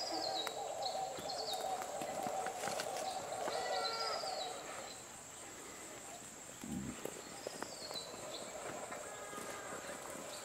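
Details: A broad-billed roller (Eurystomus glaucurus) at Campement de Wassadou, 17 January 2024, gives harsh, rasping croaks in a quick chattering series over a steady high insect whine, with a brief voice near the end.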